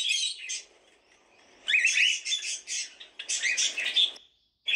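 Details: Cockatiel squawks open the recording, then a quiet stretch of faint chatter, followed by a loud run of harsh, pulsing calls with a few sharp whistled notes.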